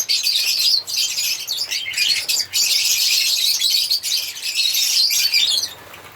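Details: High, piercing chatter of singing African lovebirds runs almost unbroken, a tangle of quick chirps and squeaks that stops abruptly near the end.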